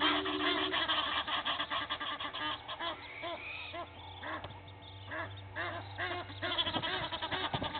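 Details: Fighting Egyptian goose families at Gowrie dam waterhole in South Africa's Sabi Sand, early morning; dense overlapping harsh honks and cackles, easing in the middle, then building again.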